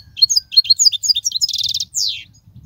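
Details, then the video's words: European goldfinch singing, a song for teaching young goldfinches: quick series of bright chirped notes, a fast buzzy rattle, then a long downslurred wheezy note. "تغريد الحسون, الذي يبحث عنه الجميع"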